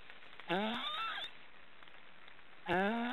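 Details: Three young black storks in a nest in an Estonian forest make snoring calls: two harmonic, nasal, slightly rising calls, one at half a second lasting about a second and a shorter one near the end, with quiet background between.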